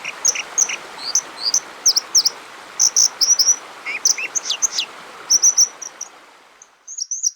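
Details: A White-throated Dipper (Cinclus cinclus) in the Nordic region sings a fast run of high, sharp, scratchy notes and trills over the steady roar of rushing water.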